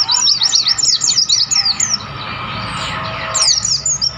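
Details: Mountain white-eyes singing wild in the highlands of Mount Lawu at Tawangmangu; a quick run of sharp, high falling chirps in the first two seconds, a short pause, then another brief chirpy burst, with constant ambient rushing.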